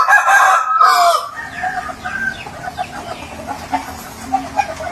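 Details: Rooster in a yard gives a strained, harmonic crow of just over a second, after which quieter broken clucks and rustling continue against a faint hum.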